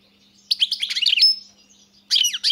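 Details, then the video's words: European goldfinch song in two bursts: a tight, chattering run of high tinkling notes ending on a thin drawn-out whistle, a pause, then another quick jangle of twittered notes. "Pesma štiglića"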